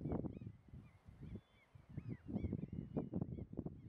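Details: Two Tundra swans at Munsö, Ekerö, Sweden, on 2 April 2021 give soft, nasal, yelping honks, overlapping in a quick, irregular chatter over a low outdoor rumble.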